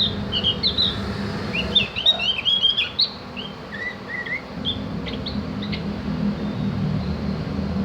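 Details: Javan grey-throated white-eye (opior jawa, cak gentong), a tutor recording used to train birds to chatter and sing: quick high chirpy notes and short rising-falling whistles in a dense burst, then sparser clipped notes over a low steady hum.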